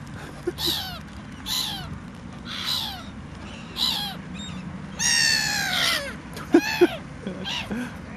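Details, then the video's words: A seagull described as cranky, giving a series of harsh, nasal, descending squawks roughly every second, with one longer drawn-out wail midway, over steady background rumble. "cranky bird"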